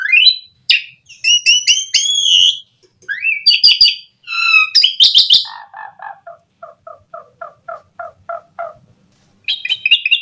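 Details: Asian pied starling singing as a lure for other starlings; bright whistles and harsh bursts give way to a long series of soft, evenly spaced low chattering notes, then whistles return.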